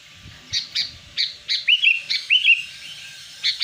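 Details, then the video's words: Sooty-headed bulbul lure call used to attract wild birds and to prompt caged bulbuls that have stopped singing: scattered bright chirps with a few short liquid slurred whistles, over a steady faint hum. "suara pikat burung kutilang"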